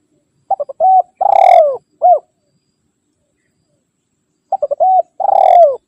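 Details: Spotted dove calling to rivals, a call used to lure wild birds and to train caged ones: two rhythmic bursts of low, hollow cooing, each a few short notes then a long rolling coo, separated by about two seconds of silence.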